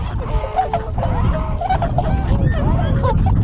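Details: Tundra swans at a river wintering site in Kawajima, Saitama, Japan, February 2017, trade quick nasal honks, some drawn out and level, in a busy sequence over steady low rumble.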